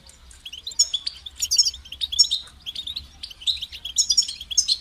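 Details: European goldfinch song, used to motivate and stimulate other goldfinches' natural singing: high, rapid twittering phrases of bright chirps and liquid trills, bursting in short clusters and separated by brief pauses.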